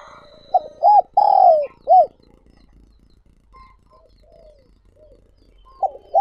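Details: Lure spotted dove for wild doves giving one full phrase of arched coos with a long falling note, followed by soft distant coos and the start of another phrase.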